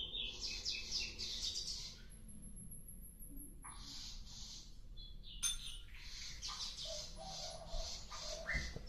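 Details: Sikatan londo flycatcher in active song: bursts of high, scratchy twittering phrases separated by short pauses, a thin sustained whistle in one gap, low background hum.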